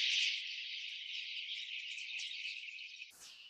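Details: A huge flock of red-billed queleas in Namibia, thousands packing a leafless tree and coming down to drink at a waterhole in late afternoon: a dense, unbroken wall of high, buzzy chattering, ending in a brief rushing burst of wingbeats.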